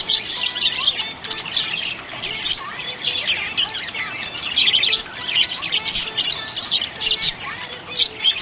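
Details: Budgerigars chirp happily in a steady, high-pitched warble of overlapping twitters and sharp chips, loudest in several dense bursts.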